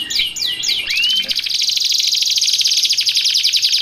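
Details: Canary singing, intended for training and luring: three looping downward whistles followed by a single rising slur, then a long, even, high-pitched trill of rapidly repeated notes.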